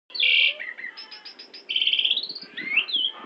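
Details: Asian pied myna from Central Java singing a full mimicry-filled song with imitations of white-rumped shama, orange-headed thrush, canary, prinia and Bali myna; loud whistled bursts, a rapid series of pulsed buzzy notes, then rising and falling slurred whistles.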